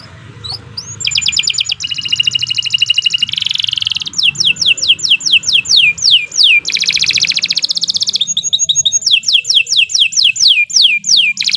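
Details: Canary song, a long continuous master song for training other birds: rapid trills of repeated notes, buzzy phrases and series of high downward-sweeping whistles, changing tours every second or two.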